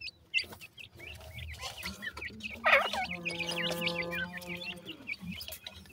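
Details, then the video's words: High chirps of black francolin chicks at play run throughout, while midway a sustained tonal, harmonic note rings for about two seconds beneath the twittering chicks. "baby dakhni teetar,baby ki boli"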